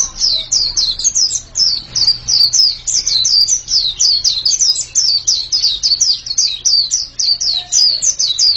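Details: A white-eye sings a lively chain of bright, squeaky down-slurred chirps at a quick, even pace, with a soft background hum.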